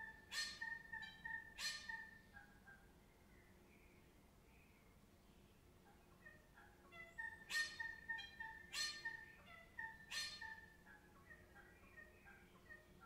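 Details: Dawn birdsong in Melbourne, Australia: short clustered sets of even piping tones punctuated by loud harsh bursts, with quiet gaps between groups.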